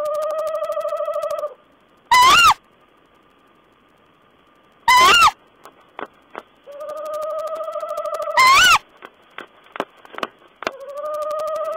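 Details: Owl calls from 14 April 2010: quavering sustained tones broken by three piercing, rasping screeches with an upward bend, plus scattered soft clicks between them.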